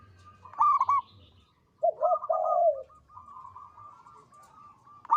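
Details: Local zebra dove singing steadily in a big, long, melodious voice: bursts of low staccato cooing notes, a lower rolling phrase, then a faint running trill that ends in a loud note.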